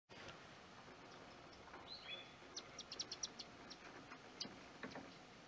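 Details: Adult Brown-headed Honeyeater at Explore the Mallee, Victoria, giving a quick string of high, sharp chipping notes, with one thin downslurred whistle, over a steady background hiss.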